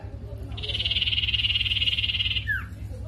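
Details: Mangrove whistler lure song meant to provoke another sirtu into calling: a steady, rattling trill of rapid pulses for about two seconds, closed by a brief falling slur, with low background hum.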